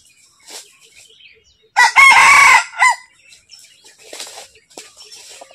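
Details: Red junglefowl calling to a female: one loud, hoarse crow of about a second, rising then breaking into a short final note. Faint chirps of small birds are heard before and after.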